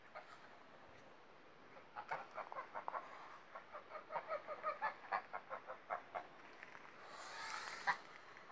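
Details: Pomeranian Saddleback goslings, a brood of five out with the goose and gander; a steady stream of short soft peeps repeated several times a second, over background hiss, with a burst of splashing or rushing noise near the end.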